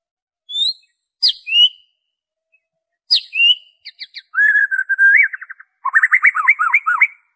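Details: White-rumped shama song used as a lure to prompt captive birds to sing, pure shama voice without mimicked phrases: sharp high whistles and rising notes, then fast warbled runs and rapid trilled bursts at a lower pitch, no other sounds.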